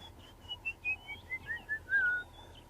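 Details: A couple of tchagras give about nine clear, fluting whistles that step down in pitch over two seconds, ending on a longer low note, amid the sunrise bird chorus with doves singing, as the moon sets on 22 April; faint low rumble behind.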